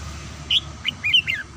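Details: Caged red-whiskered bulbul at home in the morning: a run of short whistled notes, rising and falling, over a steady low hum.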